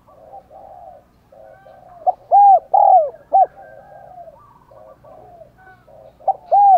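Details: Decoy spotted dove with the 'giọng đồng còi' voice cooing to stir other doves into calling; quiet murmured cooing gives way to a loud phrase of short and drawn-out falling coos, and a second phrase begins near the end.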